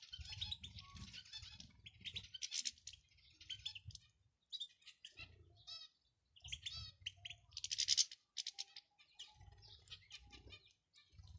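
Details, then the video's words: Calls of a male and a female European goldfinch, used to get a male singing: rapid twittering phrases, buzzy trills and clipped chirps in bursts separated by brief silences, with faint low thumps. "بتبتة ونداء دكر وأنثى الحسون"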